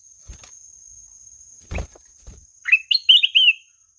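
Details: Ruby-throated bulbul sings one melodious phrase of rising and rolling whistles near the end. It is preceded by a few dull taps and knocks.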